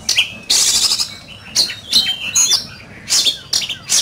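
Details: Oriental magpie-robin in a fierce singing contest: bursts of harsh, buzzy high notes mixed with short clear whistles, coming in spaced clusters roughly every half second to second.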